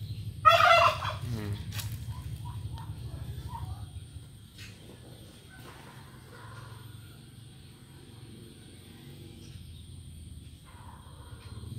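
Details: Male turkey accompanied by two females: one loud, rapid, rattling gobble bursts out early and tumbles downward, followed by a few soft, scattered short notes over a steady low hum.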